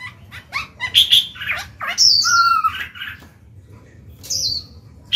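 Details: Black-throated laughingthrush kept as a cage bird, singing to rouse young birds to sing: a mix of short high chirps and a few slurred whistles, with a long gap of quieter sound before a final high note.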